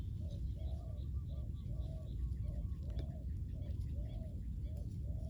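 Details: Spotted dove calls from a ground decoy set to lure wild doves: a steady run of soft, short coos repeating roughly every half second beneath heavy low rumbling background noise.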